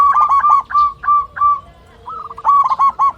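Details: Local Indonesian zebra dove with a big, mature-sounding voice, singing to call a rival and used as a lure for silent birds: quick stuttering runs of mellow cooing notes, a brief pause, then another rapid burst.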